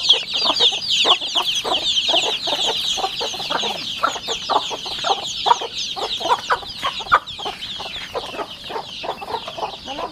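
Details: A flock of 40-day-old rural chicks kept at home: dense high chirping and cheeping from many birds, mixed with soft clucks and shuffling.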